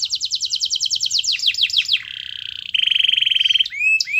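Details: Canary in full song on a master training recording meant to prompt other canaries to sing. Fast repeated high trills slide downward, then a sustained buzzy roll and a rising whistled note end the phrase.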